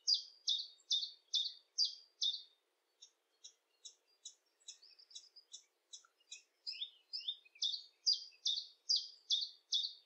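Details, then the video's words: Common chiffchaff in the UK, field recording: bright two-pitched notes alternating high and lower, about two per second, in steady runs, with a softer, more broken patch of thinner notes in the middle before the strong rhythm returns. "Chiffchaff - UK Birds. Bird Song Identifier, Field Recording, Bird Song, Bird Call"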